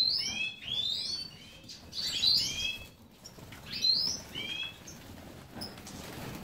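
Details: Aviary-bred European goldfinch (Carduelis carduelis major) in Ioannina, Greece, delivering bursts of bright rising twittered notes in clusters about two seconds apart, separated by brief quiet gaps.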